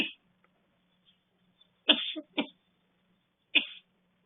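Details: Eclectus parrot mimicking a cold sufferer's coughing: three hoarse, breathy cough bursts, the first two close together as a double hack, then a single cough after a pause, over a faint hum.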